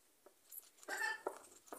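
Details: Pet cockatoo, one of several rescued animals, described as never tiring or stopping, gives one brief, harsh, raspy squawk among soft taps and clicks in a small indoor room.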